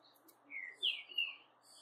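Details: Brown-plumaged blue-black grosbeak song used to rouse a reluctant azulão: a short sequence of clear sliding whistles, one lower note followed by two higher drawn-out notes, with faint room noise behind.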